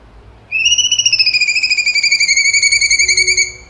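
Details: Cucak cungkok song: a long, bright whistled trill that rises briefly and then slowly falls, rapidly pulsed and rich in overtones, lasting about three seconds against a quiet background.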